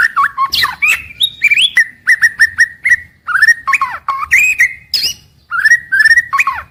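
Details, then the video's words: White-rumped shama in daily song, used to keep birds singing from morning to evening: loud, varied whistled phrases of slurred, rising and falling notes in quick bursts, broken by short pauses, with nothing else audible. "Suara Harian Paling Stabil untuk Murai Batu"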